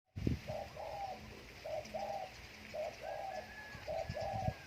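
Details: Spotted dove kept at home on a day of strong wind, giving a series of soft mellow coo phrases, paired and triple notes repeated roughly every second, over a steady background hiss and low rumble.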